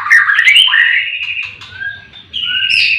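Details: White-rumped shama song recorded in the morning at a breeding farm where many caged birds sing together: clear, loud whistled phrases sweeping upward, then steady high notes, a short gap, and a fresh bright whistled phrase.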